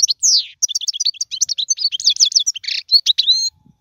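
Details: European goldfinch song intended to teach fledglings: a continuous run of rapid, liquid twitters and tinkling trills with a brief buzzy note, ending on a clear whistled tone before silence.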